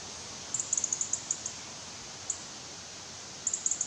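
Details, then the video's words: Juvenile European robin begging while it waits for parents with food: rapid strings of tiny, very high ticks, a lone note after a pause, then another quick run, all against constant background hiss. "Młody rudzik czeka na jedzenie"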